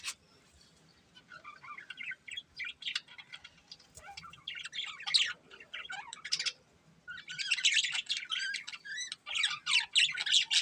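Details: Budgerigars, a breeding pair, chirping: scattered soft twitters building into rapid, scratchy chatter, a brief lull, then loud dense warbling bursts repeated several times a second.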